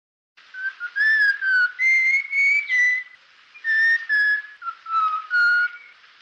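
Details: Black-winged stilt nesting pair at Hoskote lake, recorded from a distance while the birds chased off intruders and tended the nest: a series of clear, nasal, harmonic-rich notes, slightly rising or falling, given in two bursts of four to five.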